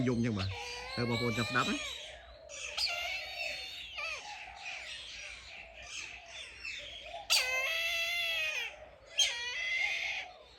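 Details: Brahminy kite kept in a cage, its cry likened to a crying child: after brief speech at the start, thin, wavering, harmonic-rich mewing wails come in bursts, with two loud sharp cries near the end.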